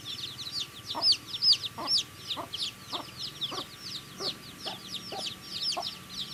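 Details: Baby chickens eating, many high, piercing cheeps in quick succession, some loud, rising-falling notes standing out, plus regular pecking knocks roughly every half second and a faint electrical hum.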